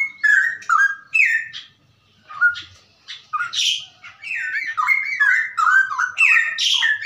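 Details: Straw-headed bulbul giving its ropelan song, a recording for teaching other birds: fast, bubbling phrases of loud liquid whistles, a short lull, then a long unbroken run of tumbling, slurred notes.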